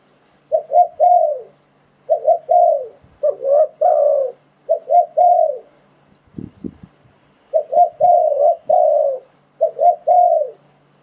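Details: Repeated cooing of a spotted dove, used as a lure when trapping wild doves: mellow low phrases of short double hoots ending in a sustained coo, with a few dull knocks partway through.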